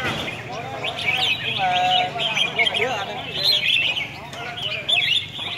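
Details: Competing red-whiskered bulbuls at a singing contest in Hat Yai, Songkhla province, Thailand. Clear, liquid whistled phrases rise and fall in quick loops, repeated several times, over a constant bright chatter of many birds and faint background voices.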